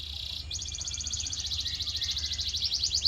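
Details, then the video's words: Canary singing as a training sound for caged canaries: a short sustained high note, then a long, fast, even trill of very high repeated notes, slightly quieter than the other recordings. "Special Audio to Shape Your Canary's Voice Character"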